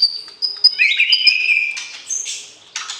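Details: White-rumped shama in captivity, calling during pairing to stir breeding readiness in a mate: high clear whistles, then a loud slurred descending phrase, followed by rough buzzy bursts and a final harsh note.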